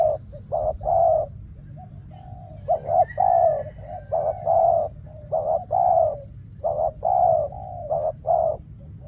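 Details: Spotted dove decoy calling at a trap where wild birds fail to come; repeated phrases of clipped short coos and longer rounded notes, spaced by brief pauses, over a low rumbling background.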